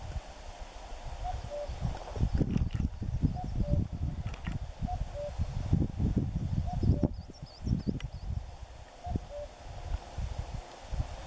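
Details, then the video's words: Common cuckoo at Forgoselo, 20 April 2015, gives its falling two-note 'cu-coo' about every two seconds, half-buried under heavy wind rumble, with faint high chirps from another bird. "Cuculus canorus (Cuco común)"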